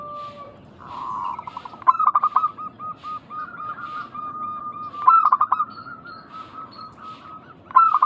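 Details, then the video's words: Local zebra dove, used as a lure to draw other doves into calling back: a long steady whistled tone followed by bursts of quick stuttering notes and repeated rolling coos, recurring every few seconds. "Pancingan burung perkutut lokal gacor suara mengundang bunyi langsung nyaut."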